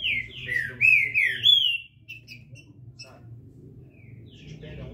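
Green-winged Saltator singing a quick run of loud, slurred whistles that rise and fall for about two seconds, then stops; a low hum continues underneath.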